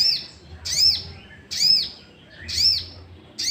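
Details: Sooty-headed bulbul lure sound meant to stir other bulbuls into song; three loud, high, down-curving notes arrive about a second apart against a soft low drone.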